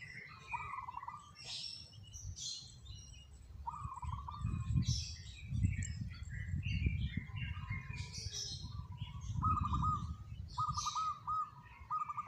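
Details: Local zebra dove cooing in three bursts of rapid, trilled notes held at one low pitch, each lasting about a second, set against a busy chorus of higher chirping songbirds and a low rumbling background.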